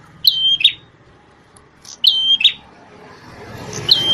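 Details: Prenjak tamu prinia with a red head gives thin level whistles, each closed by a buzzy note. There are three phrases over a broad hissing, rumbling background that grows louder toward the end.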